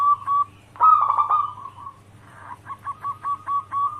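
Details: Local zebra dove lure song meant to draw other doves: a short coo, a harsh rolling phrase sliding down, then after a pause six or seven spaced, bouncy cooing notes at one pitch over a faint low hum.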